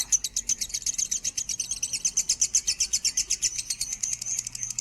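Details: Lovebird of the minor variety singing a standard-pitch song meant as a tutor for other birds: rapid high chattering trill of sharp chirps, about four per second, steady throughout, with faint low hum beneath.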